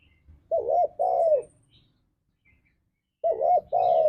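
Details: Lure song of a spotted dove (tekukur), ngalas style, meant to spur caged doves to answer: two phrases of paired mellow coos, a short arched note followed by a longer drawn-out one, separated by a pause of nearly two seconds.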